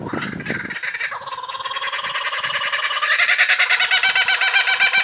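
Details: Young laughing kookaburra calling back after listening to other kookaburras, a parent joining in: loud, rapidly pulsed chuckling that builds steadily in volume into a rhythmic, raucous laughing chorus.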